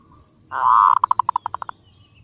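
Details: Female zebra dove calling to attract a male, used as a lure: one long burred coo followed by about ten rapid, evenly spaced pulsed notes, clean with little background.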